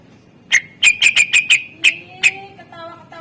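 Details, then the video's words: Greater green leafbird master song in isian style, meant to prompt reluctant birds: a quick run of sharp, ringing chips, followed by faint, steady low tonal whistles. "Cucak ijo gacor SUARA ISIAN masteran untuk pancingan burung yang malas bunyi"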